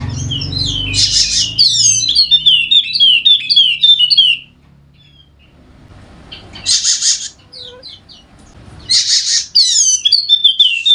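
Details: Golden-headed Wallacean white-eye, endemic to Sumbawa, NTB, singing a rapid stream of high, bright descending chirps, with brief broadband bursts between phrases and a quiet gap midway; used to prompt lazy birds to sing.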